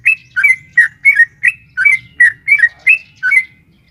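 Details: Rapid 'ropel panjang' song of a female sooty-headed bulbul calling the male, played to make a caged bird respond: about ten quick, bubbly, slightly slurred whistled notes in four seconds, then fading, with a faint low background hum.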